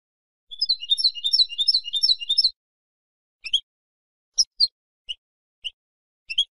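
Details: Female goldfinch calling to encourage a quiet male to sing: a two-second burst of fast, high, tinkling twitters, then scattered single sharp chirps spaced about half a second apart.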